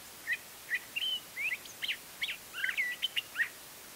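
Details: Singing curve-billed thrasher in Embudito Canyon, Sandia foothills, Albuquerque, New Mexico, on a spring morning, March 31, 2010: a fast, irregular string of short slurred whistles, upswept and downswept notes and harsher chips, about two or three per second, against faint background hiss.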